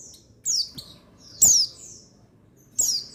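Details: Male buxtoni white-eye (pleci), played as a therapy sound to make lazy males sing. Three high, thin, downward-sliding chirps, each about a quarter-second long, separated by pauses over a quiet low background.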